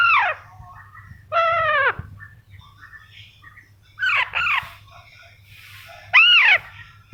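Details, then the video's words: Young pet Alexandrine parakeet calling repeatedly indoors: loud, raspy, downward-sweeping screeches in short bursts, some doubled, spaced about two seconds apart, with soft chattering between. "alexandrine baby parrot"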